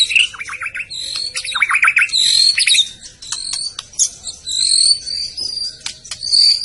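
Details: Song of a white-rumped shama from Medan: short descending notes, then clear high whistles and sharp clicks alternating over several seconds.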